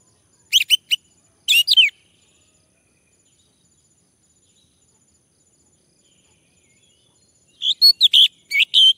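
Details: Male orange-headed thrush prompted to sing: a few quick, sharp whistled notes, a long silent pause, then a fresh burst of rapid chirpy phrases near the end.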